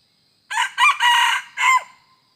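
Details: Red junglefowl crowing, recorded 2 November 2021 while decoy-trapping wild junglefowl: a loud, harsh four-part crow with a short opening note, two longer middle syllables and a falling final note, in quiet surroundings.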